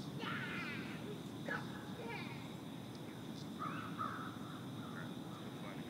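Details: Green heron stalking in the shallows of a pond, giving several harsh, hoarse squawks at irregular intervals over a steady low rumble of wind or distant traffic.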